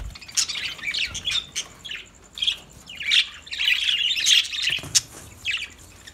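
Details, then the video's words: Lovebirds singing: a scratchy, high chattering of squeaks and short squawks in uneven bursts, with brief pauses between clusters. "Lovebirds Sounds Lovebirds Singing"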